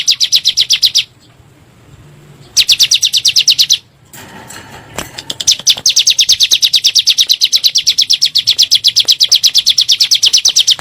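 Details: Bar-winged prinia lure in 'nembak' style for prompting caged birds to sing: bursts of fast, sharp high chirps, broken by a silent gap and a soft noisy pause, then a long unbroken rapid run.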